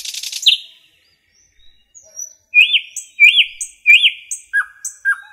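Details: Common nightingale in forest song: a brief noisy rattle opens, a near-silent gap follows, then three looping rise-and-fall notes and a pair of short, falling whistles.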